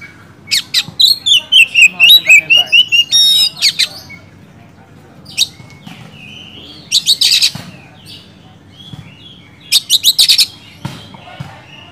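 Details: A vigorous Oriental magpie-robin song meant to stir lazy birds into singing: a fast run of sharp, high, twittering notes, then a winding whistled phrase, followed by further clusters of harsh chattering bursts and brief pauses.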